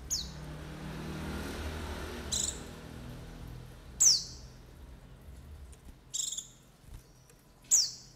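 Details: White-eye calls used for luring: scattered thin, high notes that drop quickly, a few soft and some sharper, with gaps of one to two seconds and low background noise.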